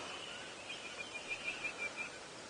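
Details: Oxpeckers heard near a herd of impala during a 7 a.m. sunrise walk at Djuma, Sabi Sand, South Africa, on 6 November 2017 give a rapid series of short, harsh, hissing calls, about six in under two seconds, over steady outdoor background noise.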